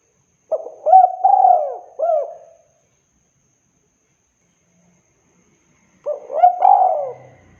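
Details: Spotted dove cooing in a clear recording made for luring. One phrase of stuttered coos ends with a drawn-out falling note and a short final coo. After a long silence a second phrase begins.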